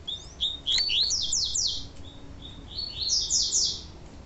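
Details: Double-collared seedeater, tui tui style song, with a female's call used to excite the male: bright, high whistled notes, then rapid slurred downward sweeps in short bursts, with quiet pauses between phrases.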